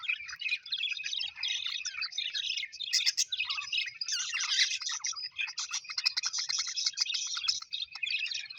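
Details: A flock of pet Australian budgerigars chirps nonstop, dense warbling chatter with rapid clicking trills and brief sharp squeaks, building toward a busier stretch later on.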